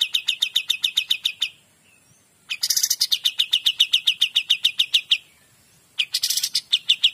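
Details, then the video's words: Kapas tembak in full lively song. Quick trains of ringing chip notes are broken by brief pauses, and each new phrase opens with a harsh, buzzy rattle before the clear repeated notes resume. "KAPAS TEMBAK GACOR DOR"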